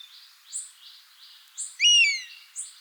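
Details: A buzzard, bird of prey, in natural habitat gives one strong downslurred mewing whistle, surrounded by repeated short high chirps of another bird about once a second and a pulsing insect buzz.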